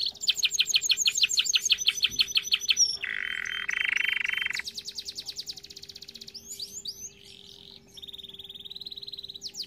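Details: Canary singing for training: quick descending whistles, a deep buzzing roll, a fast rattling trill, then sweeping notes and a steady high trill, with a low steady hum beneath.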